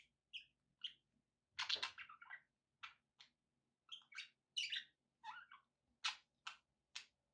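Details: Pet budgerigars give a steady series of short, buzzy chirps and warbled notes, evenly spaced, with a faint low background hum.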